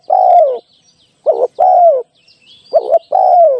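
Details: Spotted dove recorded as a live decoy for trapping; a long, descending mellow coo, then two phrases of a short rolled note followed by a drawn-out falling coo, about every one and a half seconds, faint high chirps behind.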